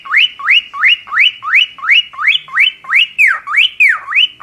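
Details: Cockatiel song made of one whistled phrase repeated about three times a second, each note sweeping steeply upward and then holding a steady high pitch, with a few falling notes near the end.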